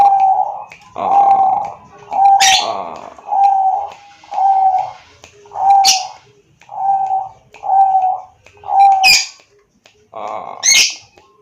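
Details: Bangkok zebra dove singing in Wiradesa, Pekalongan, Central Java, recorded by Android phone as a prompt for reluctant doves; steady rolling coos repeated roughly once a second, broken by occasional sharp clacking knocks.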